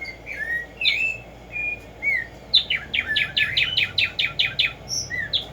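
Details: Tumba Yegua or tico tico, the black-striped sparrow, singing loud slurred whistles that break into a rapid, evenly spaced series of about ten sharp downstroke notes, then a couple of softer notes.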